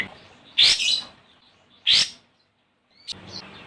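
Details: Olive-winged bulbul calling a rival, used as a lure to make other birds sing: two loud, harsh, buzzy bursts about 1.3 seconds apart, then a short, faint whistled note.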